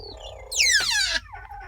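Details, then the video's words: A car carrying 14 African grey parrots, reportedly on a ferry to Vancouver, gives a thin falling whistle, then a loud, harsh, rich screech dropping steeply in pitch, with a low murmur beneath. "A car full of African Grey Parrots sound like this."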